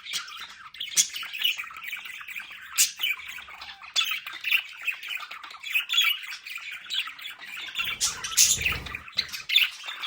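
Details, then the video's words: Several pet budgerigars at home chattering steadily: busy, scratchy warbling and sharp squawks, with a brief low rumble near the end. "Sonidos de Periquitos Australianos en casa"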